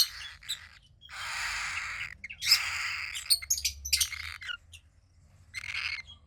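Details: Young cockatiel chick about 15 days old, a female from a pied pair, giving long harsh raspy rasps broken by sharp high chirps and squeaks, with brief quiet gaps between bursts.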